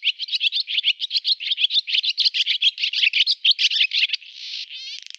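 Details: Male barn swallow (Hirundo rustica) song: fast, high twittering chatter at about six notes a second, ending in a buzzy, dry grating rattle; no other sounds.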